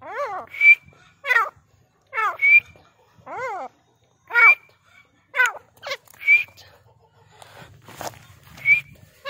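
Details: Grey francolin (dakhni teetar) giving loud, ringing calls: short upward whistles alternate with stacked, curving harsh notes, about a second apart in pairs, with quiet pauses between.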